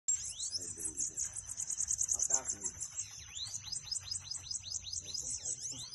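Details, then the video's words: Bananaquit song played to fire up a kept bird: very high, thin buzzy trills over a steady hiss-like whine, with quick down-slurred chirps and soft speech murmuring underneath. "canto pra foguea seu sibite"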